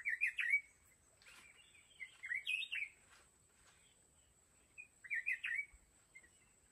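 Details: Caged decoy red-whiskered bulbul at a fighting trap for wild mountain bulbuls: lively chattered warbles in quick clusters, a busy run in the middle and another burst near the end, over faint hiss.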